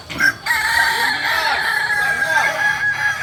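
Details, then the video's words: At a crowing practice in Amko, Solok city, a Kokok Balenggek rooster gives a short opening note. A long, sustained, loud crow follows with wavering pitch, while other roosters overlap in the background. "Latberan ayam kukuak balenggek"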